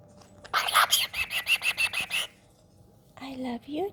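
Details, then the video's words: Hahn's macaw kept as a pet, beside its owner, producing about ten rapid, evenly spaced pops in under two seconds, followed by soft whistled and wavering squeaky notes. "Hahns macaw, from popping sound"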